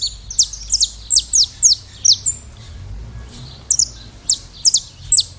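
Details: Saffron finch, known in Brazil as canário-da-terra, singing a series of bright, high, sharply down-slurred chips in quick bursts, with a short pause before a final run of similar notes; low background rumble.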